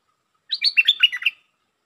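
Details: Red-whiskered bulbul singing one rich, rapid phrase of six or seven chirping, slurred whistles, jumping up and down in pitch, in the 'lak boen' style.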